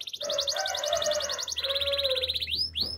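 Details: Canary singing, presented as a training song: rapid rolling trills of pulsed high notes, one trill after another, with a lower steady tone running underneath and brief upswept whistles near the end.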